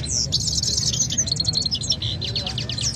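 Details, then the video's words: Two canaries compete in song in Quetta. Slurred whistles lead into fast, evenly spaced chattering notes that slow slightly toward the end, set against a low rumble. "nazar Saira Vs gholam Saira singing fighting who will win"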